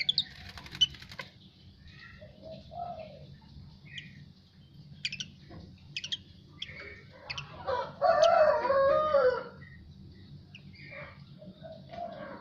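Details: Asian pied starling singing just after a bath: varied short whistles, clicks and slurred notes spread irregularly, peaking in a loud, rasping, throaty warble around the middle, then quieter scattered chirps, with a faint low background hum.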